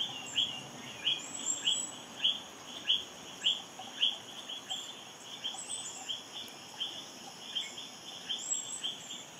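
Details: Olive-backed flowerpecker (Prionochilus olivaceus parsonsi), feeding offspring in the Philippines in May 2022: thin, high ticking notes about twice a second over a constant high insect drone.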